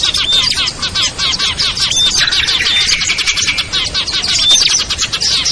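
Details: Lure sound of mixed small birds such as ciblek, kutilang, trucuk, sogon and perenjak, used to attract birds that won't come down: quick repeated chirps in a thick chorus, with occasional short whistles.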